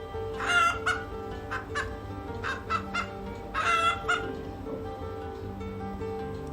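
A hen gives short, throaty clucks in uneven bursts, about six in under five seconds, over a steady background of soft music.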